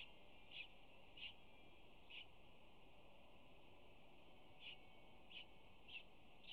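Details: Wild peregrine falcon mother at a nest scrape at UC Berkeley on 25 April, chirping to her newly hatched chicks while tearing prey and feeding them; short high chirps come at irregular intervals over a steady background hum.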